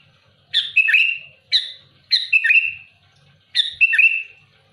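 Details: A vigorous sooty-headed bulbul sings to challenge rivals, giving four quick harsh phrases, each a rasping burst followed by a sliding whistle. The phrases come about once a second.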